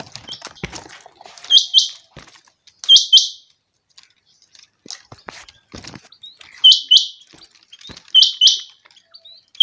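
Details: Common quail in a summer meadow giving short, liquid three-part bursts, repeated every one to two seconds in loose series, over faint clicks and rustling.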